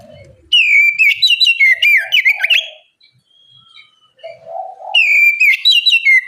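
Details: Oriental magpie-robin singing loudly and without letup, used as a bait recording to get other magpie-robins to respond: quick bright whistled phrases with dipping slurs, a lull of soft low warbling, then the loud whistles return.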